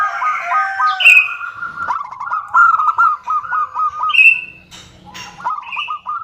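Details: Female zebra dove calling the male: continuous rapid, bubbling coo notes, interrupted three times by a brief, higher whistled note that slides downward.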